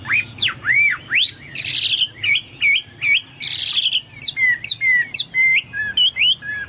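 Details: Chinese hwamei song: loud swooping whistled notes that rise and drop, two harsh buzzy bursts, then a string of short repeated whistles and chips.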